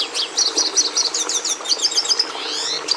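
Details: Red siskin (Carduelis cucullata) song: quick series of high chirped notes and sharp rising whistles, followed by a buzzy descending sweep near the end.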